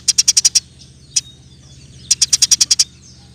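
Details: Rapid chirp rolls from a Eurasian tree sparrow, used as a master recording for other songbirds: six quick sharp notes, a single chirp after a pause, then a run of eight, over a faint low hum.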